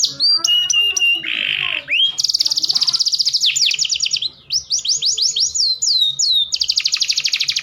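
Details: Canary mating song meant to raise breeding drive in males: clear whistled notes, a short buzzy burst, then long fast rolling trills of high chirps in repeated bursts, faint low hum behind.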